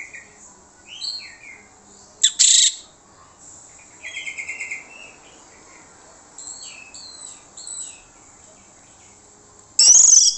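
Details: Orange-headed thrush singing as a lure meant to make other birds answer: varied short whistled phrases, some rising and some falling, separated by pauses, with loud harsh bursts near the start and end.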